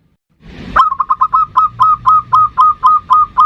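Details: Local zebra dove singing actively in the ndudut variation style, a lure recording meant to call in and provoke a rival: a rising opening note, then a rapid run of about twelve short, even, mellow cooing notes.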